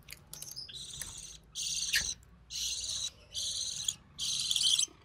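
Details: A recessive pied budgie chick, hatched in early June 2020, being fed by the mother: five grating, buzzy bursts of about half a second each, spaced roughly evenly over a soft background hiss.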